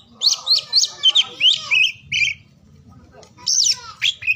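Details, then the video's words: Kacer, the oriental magpie-robin, singing by morning, noon or afternoon: a fast string of high, scratchy whistled notes, then a quiet gap of about a second before a few more sharp phrases. "KICAUAN KACER DI PAGI SIANG SORE HARI UNTUK MERANGSANG KACER BISU DAN MALAS BUNYI AGAR CEPAT GACOR"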